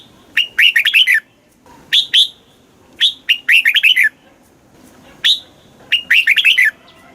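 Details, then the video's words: Red-whiskered bulbul song played to stimulate caged birds, in the southern Thai master-song style: loud bright phrases of rapid warbled notes, each about a second long, repeated at irregular gaps with quiet between. "เสียงนกกรงหัวจุก ร้อง ริก เปิดให้นกฟัง ยั่วให้นกคึกจัด"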